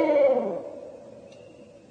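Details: At night, a Barred Owl gives a single drawn-out, hollow hoot that sags slightly in pitch and fades with an echoing tail, typical of the territorial calling pairs make on hearing another owl. Nothing else is heard.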